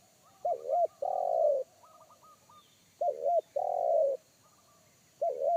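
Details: Forest spotted dove with a deep, bass voice of the one-note 'kuk satu' style, heard from a wild bird that made a trained decoy dove shy away: low hollow coos, a short double note then a long purring coo, repeated about every 2.5 seconds, with faint higher coos from another dove.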